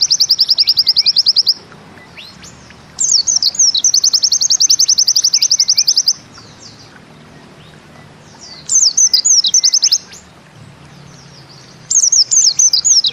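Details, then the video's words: Bustomi pleci, a white-eye, singing 'nembak ziperrr': repeated bouts of very high, fast zipping trills, some preceded by slurred whistles, with quiet pauses of a second or more between bouts. "Bustomi NEmbak Ziperrr Mudah DI Tiru"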